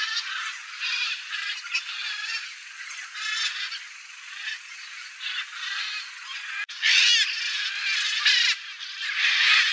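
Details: Flock of blue-and-yellow macaws (Ara ararauna) returning after feeding on soybeans left by a harvester in a cerrado field. Harsh, raucous squawks overlap, loudest near the end, with a sharp click in the middle.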